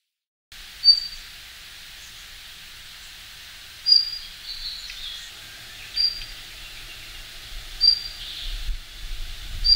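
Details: Daurian redstart (Phoenicurus auroreus), wintering bird from the north, gives single thin, high whistled notes every two to three seconds. It calls from conspicuous perches to declare its winter territory on arrival, mid-late October to November.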